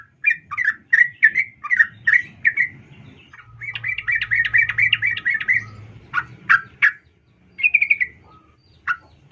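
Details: Female sooty-headed bulbul calling the male; evenly spaced bubbly notes, a rapid dense run, then sharp single notes and a short trill, over faint low hum.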